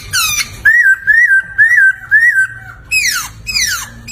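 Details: Clear, loud laughingthrush song used to tutor caged songbirds: four ringing whistles, each rising then falling slightly, given about twice per second, followed by two sharply descending whistled slurs.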